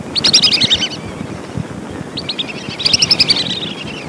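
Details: Lesser whistling duck lure calls: two separate bursts of fast, high whistled notes, each a tumbling descending series lasting under a second, set against a continuous low rumbling background.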